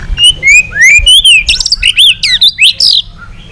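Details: White-rumped shama singing a long training song meant to provoke rivals: a rapid sequence of rich whistled notes, some rising and some falling, twisting into loud warbled phrases without pause.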